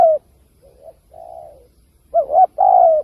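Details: Cooing spotted dove, recorded for luring wild doves to traps: a falling coo, soft faint coos from farther away, then a loud doubled hoot and a long, gently descending coo.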